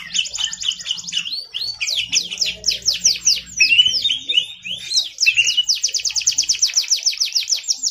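A canary sings a fast, continuous song of rapid rolling trills and sweeping whistled notes, switching between tours every second or so.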